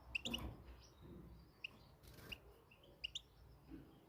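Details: Moroccan European goldfinch uttering a few quick, high, bright chirps spaced unevenly over a few seconds, with occasional sharp knocking sounds and faint low rumble underneath.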